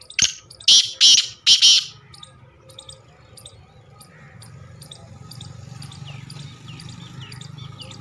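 A black francolin gives four loud, harsh, grating notes in quick succession. Faint chirps from small birds and a low hum follow.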